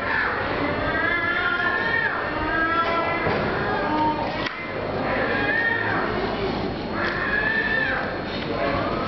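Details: Seagulls screaming after closing time at the Rialto fish market in Venice: loud, harsh, harmonic cries that rise and fall in long drawn arcs, repeated through the clip over a steady murmur of people.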